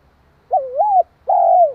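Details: Spotted dove cooing to rouse another dove: a rising and falling double coo followed by a long, smooth, gently descending coo, clear and mellow.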